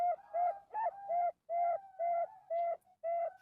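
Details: Male Bangkok-type zebra dove (perkutut) from a captive breeding farm in Bantul, delivering longer drawn-out coos, about eight in a row, some with a quick bent opening, spaced unevenly with short gaps, in a small indoor space.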